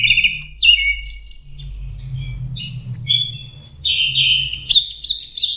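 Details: High, sweet orange-headed thrush song from a young bird still learning, with short whistled phrases, slurred downward notes and quick chatters in a steady flow over a faint low hum.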